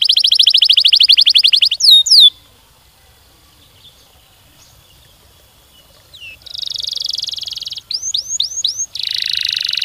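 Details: Canary singing long rolling phrases, played to encourage other canaries to sing: a fast trill and falling sweeps, a few seconds of near silence, then buzzy trills and swept whistles resume.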